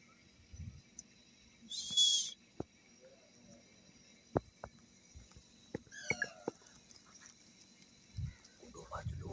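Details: Rose-ringed parakeets, a male, female and baby kept together, happy in the morning: a loud harsh burst of screeching, then scattered clicks and a short harmonic squawk, with low thumps and handling noises.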